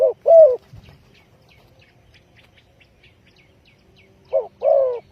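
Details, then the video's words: Used to lure birds for trapping, a spotted dove gives soft, low coos: a long note at the start, then a short note and a longer coo near the end, with faint ticking in between. "The Chim cu gáy chiêu kích mồi tập bổi nhanh nổi hiệu quả"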